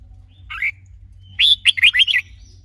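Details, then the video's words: Red-whiskered bulbul during song training with a female to stimulate the male; a soft chattering note, then a quick phrase of five bright, slurred whistles. "Luyện chào mào hót GIỌNG HAY -KÈM MÁI KÍCH TRỐNG"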